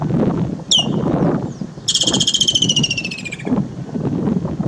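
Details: Woodland kingfisher near Crooks Corner in Kruger National Park in summer, giving a sharp high note, then a loud, rapid trill falling in pitch over about one and a half seconds, with a steady low rumble behind it.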